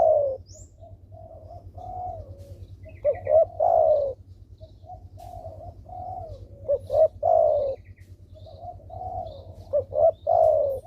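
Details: Lively spotted dove used as a lure so that lazy doves start calling: three phrases about three to four seconds apart, each two short coos and a long, loud, falling coo, softer coos in between over a low hum.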